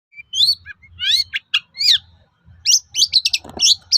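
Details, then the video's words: Long-tailed shrike song used to provoke other shrikes into replying: varied, scratchy high phrases, rising upswept notes and short buzzy bursts separated by brief pauses, with a low hum underneath. "SUARA PANCINGAN BURUNG CENDET AGAR MAU NYAUT GACOR"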